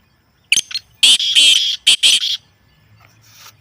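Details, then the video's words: Black francolin calling, played to get a kept bird active and calling: a loud, harsh, grating phrase of about six rasping notes. A short clipped note comes first, then longer buzzy notes, all in just under two seconds, in quiet surroundings. "کالا تیتر کو مست کرنے والی اصلی آوازیں"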